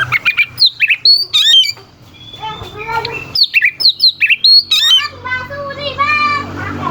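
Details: An oriental magpie-robin pours out a rich, varied song, used as a lure to make rival birds sing harder. Quick bursts of high slurred whistles alternate with a softer, lower warbling stretch.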